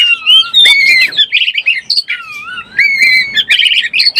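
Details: Oriental magpie-robin lure song for birds in breeding condition: loud, varied whistled phrases, some long sliding whistles alternating with fast chattering bursts, continuous throughout.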